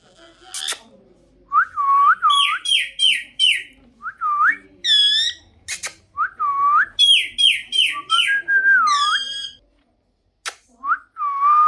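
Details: Pet parrot producing bursts of bright whistled phrases: looping, swooping notes with fast stepped trills, repeated in two long sequences separated by short pauses, with faint background noise indoors.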